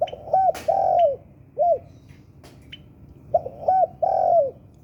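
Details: Spotted dove of the 'Sultan' type, kept for its strong song and used as a lure to make other birds sing: low cooing phrases of hooked, rising-then-falling notes, given in short bursts with pauses, plus a few faint clicks.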